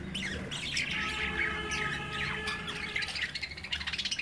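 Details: Budgerigar chicks playing in their cage while the parents watch; dense chattering of scratchy squawks and quick chirps, with a rapid run of sharp notes toward the end.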